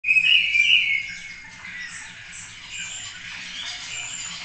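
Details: Spotless starling, likely the singing male, at a Cabañeros National Park webcam, opens with a loud, bright whistled phrase, then drifts into softer, scratchy high chatter and wheezy notes over a faint low hum.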